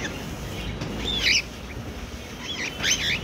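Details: Angry pet cockatiel producing a few isolated, looping, warbled shrill calls separated by pauses, over steady low background noise.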